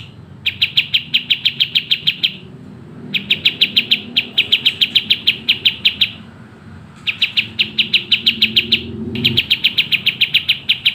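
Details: Training recording of a sooty-headed bulbul singing actively with tight, speedy phrasing: five long bursts of quick, uniform, sharp chirps separated by brief pauses, a low background hum throughout.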